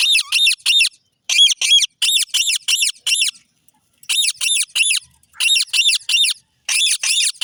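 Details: Rose-ringed (Indian ringneck) parakeet, a green parrot, giving harsh, high, grating squawks in quick bursts of three to five notes, with short pauses between bursts.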